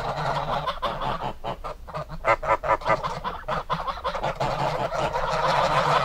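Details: A goose gives loud nasal honks in a steady run, about two or three per second, over a crowded background of more geese calling.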